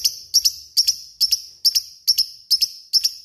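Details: Lovebird called a fighter bird, repeating sharp, high double chirps with a ringing tail, each pair coming roughly every half second in a steady rhythm.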